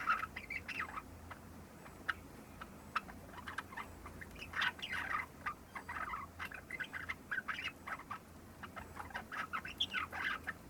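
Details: Young Java sparrow, just over three months old, practising its subsong a few days after arriving in a new home: a rambling, continuous stream of soft clicks, ticks and short chirpy notes, with dense bursts through the middle and toward the end.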